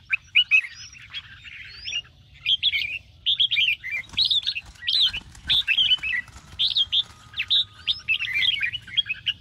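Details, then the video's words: Red-whiskered bulbul singing its morning song, a training recording to excite birds: rapid chattering, warbling phrases in dense runs, some thin upslurred whistles, and steady low hum underneath. "chào mào hót sáng QUÁ HAY - CHÉ KÍCH BỔI CĂNG ĐÉT, Cách luyện chào mào hót căng lửa"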